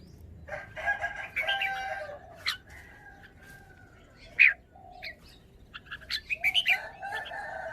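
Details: Red-whiskered bulbul song phrasing: scattered sharp chirps and short warbled notes over a busy background of sustained whistling tones from other birds.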